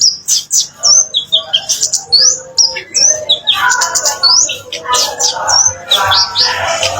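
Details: Kemade bird song used as a lure to make silent birds answer: a busy, varied run of high whistled notes, short upslurs and downslurs, and quick chattering bits in fast succession.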